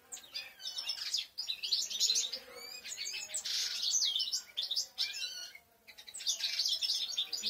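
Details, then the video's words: Several European goldfinches singing: dense, overlapping high twittering and chattering notes that run almost without pause, with a brief lull near the end. "Jilgueros cantando"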